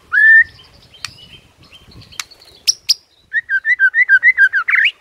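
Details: White-rumped shama in the morning, singing to provoke rivals: a clear whistled note, scattered clicks, then a rapid series of about ten short looping whistles ending in a harsher burst.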